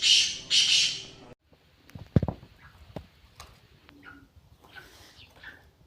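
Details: Black francolin giving two loud, harsh, rasping notes in quick succession at the start, then near silence with faint clicks, a few soft thuds and distant faint chirps.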